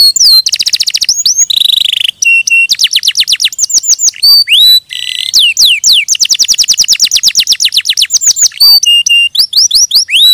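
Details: Canary in full song: long rapid trills alternating with short flat whistles and swooping notes, continuous and high-pitched throughout.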